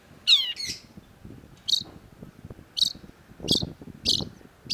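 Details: Long-tailed shrike (cendet) opens with a couple of rasping, descending squawks, then gives sharp, high chip notes roughly once a second, with faint low background noise between them.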